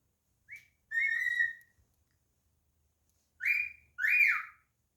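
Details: Indoor pet cockatiel whistling its song: a short upslurred chirp, then a long level whistle, a pause, and two more strong rising-and-falling whistled notes.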